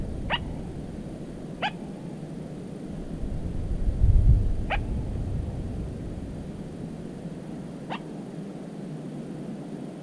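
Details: Little crake calling from cattails on 13 July 2017. Four brief, sharp, steep notes come at irregular gaps of one to three seconds over a steady low rumble, with a louder thump near the middle.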